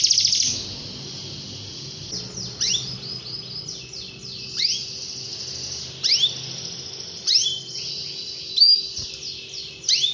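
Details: Canary gives short bursts of swooping whistled notes every second or two between quieter stretches, with a steady high hiss in the background.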